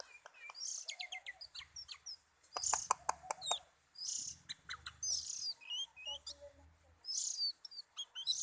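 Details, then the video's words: Oriental magpie-robin singing at ease: a rich medley of short whistles, fast clicking chatters, and rising and falling slurs, interspersed with loud hissy high-pitched bursts that recur every second or two. "BURUNG KACER LAGI ENJOY"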